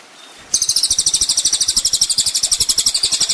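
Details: Ninja sunbird on a training master for songbirds, starting after a short pause with a sustained very high, rapid trill of buzzy pulses about four per second.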